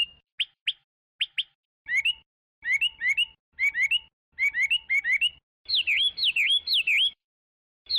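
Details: Chinese hwamei song building from isolated sharp whistle strokes to clustered groups of three slurred notes, ending in loud looping whistles that dip and rise.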